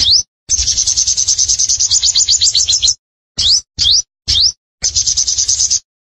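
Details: Lively sunbird song: a rising chip, then a long, very high, fast trill of slurred notes, followed by three separate sharp upward-sweeping chips and another high trill, over a low rumbling background.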